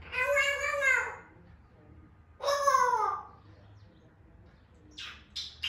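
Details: Grey parrot, an African grey, producing two rich, nasal, downward-curving calls about a second and a half apart, followed by short scratchy noise bursts, with a faint room hum.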